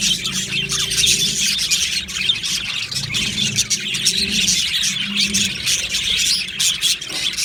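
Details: Australian budgerigars in an aviary colony, recorded 15 July 2025: dense, continuous high chirping and twittering from many birds at once, overlapping without pause, with a faint low hum underneath.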